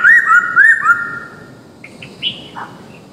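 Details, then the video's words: Masked laughingthrush giving a natural lure call: a loud series of clear whistled, slurred notes that rise and fall, repeated quickly for about a second before fading into softer, scattered chirps. "pancingan poksay hongkong"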